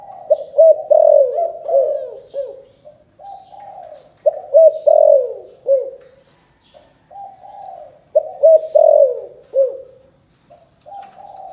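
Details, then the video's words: Spotted dove from Can Tho, Vietnam, giving a 'chụp chụp ô' style calling coo, described as very unusual: three phrases about four seconds apart, each starting with stuttered clipped notes, then a swelling, falling coo and softer trailing notes. "Chụp chụp ô gáy gọi Thái Vân hoa : Cu gáy Cần Thơ"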